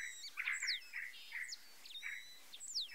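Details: White-browed meadowlark singing a dense run of harsh, raspy chirps and quick downward-sliding high whistles, closely packed with little pause between notes.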